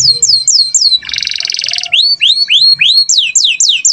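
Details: Energetic canary singing in gacor style: quick falling notes, a rasping buzzy rattle about a second long, then upslurred whistles and a run of descending sweeps.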